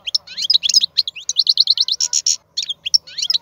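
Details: European goldfinch male of wild stock singing a rapid, liquid twitter of short high notes and buzzy trills, densely packed with brief gaps.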